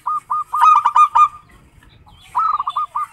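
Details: Kept local zebra dove used as a lure recording. Two bursts of rapid, clipped cooing notes are separated by a second of near quiet, with faint low background rumble.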